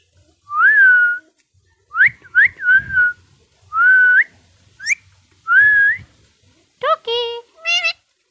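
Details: Pet parrot that talks Bangla producing clear whistled notes, each rising then levelling, repeated with short pauses, followed by a few harsher, nasal, speech-like calls toward the end; quiet room otherwise.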